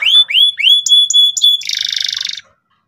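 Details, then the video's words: Persistent, loud canary song in the ngeriwik style, used to teach beginner canaries. Four rising whistled upslurs lead into a steady high note, then a dense buzzy rattle that stops abruptly. "suara kenari gacor ngotot keras biar kenari paud cepat belajar bunyi ngeriwik"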